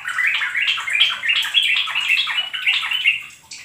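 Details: Yellow-vented bulbul song used to lure and train kept birds: a dense, bubbly run of quick whistled notes that rise and fall, chattering on without pause for nearly four seconds.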